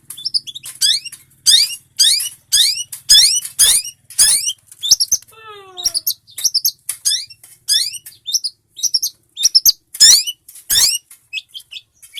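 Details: Long-tailed shrike in full song, recorded as tutor material for training birds: varied harsh chattering phrases and sharp chips, with a brief run of descending whistled notes midway, then more scratchy bursts.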